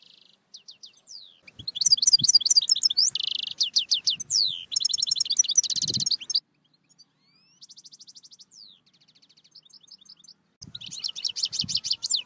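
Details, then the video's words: A European goldfinch sings a fast, tinkling medley of liquid twitters, buzzy notes and rapid trills, delivered in bursts with brief pauses between. "Chant De Chardonneret Goldfinch Song"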